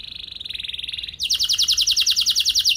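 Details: Canary song used as a training recording to spur other canaries into long rolling song: a fast buzzy trill at steady pitch, then a brighter, louder rapid trill of repeated notes.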